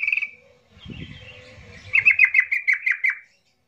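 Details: Yellow-vented bulbul emotional song meant to stir silent bulbuls to sing: a brief whistle, a soft warbling stretch, then about eight rapid bubbly notes chattering downward in quick succession before stopping.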